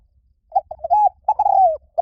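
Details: Spotted dove coo phrase: clipped stuttering notes building into a smooth rising-falling coo, then a long rolling coo that drifts downward, with the start of another note at the end.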